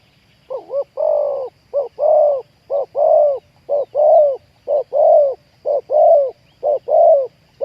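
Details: Spotted dove used in decoy trapping of wild doves, with a loud, deep voice in the 'khu ang' cooing style. Low, hooting coos form repeated phrases, about one per second, in a steady rhythm over a quiet background.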